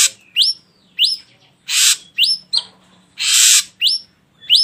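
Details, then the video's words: Ashy drongo singing in a lure recording: quick upslurred whistles, each climbing steeply, broken by two long hissing rasps. The notes come in an uneven rhythm of about one each half second. "Pancingan Burung Srigunting Abu Abu Biar Bunyi"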